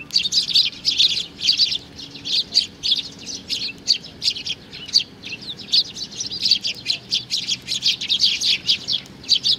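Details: Fledgling sparrow giving steady strings of high chirps, closely spaced and continuing almost without pause throughout.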